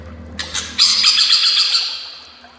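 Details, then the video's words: White-rumped shama master song for training: after a few soft clicks, a loud buzzy high trill of rapid pulses held about a second, then fading away. "Masteran murai"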